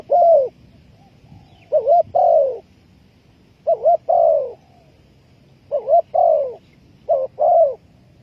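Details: Spotted dove calling as a trapping lure: repeated phrases of a quick rolling double note followed by a longer falling coo, about four phrases spaced roughly two seconds apart.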